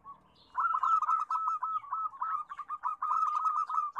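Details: Zebra dove lure song of a loud local bird from Indonesia, meant to prompt other doves to sing: an unbroken run of quick rolling coos, steady and fast, with faint chirping of other birds in the background.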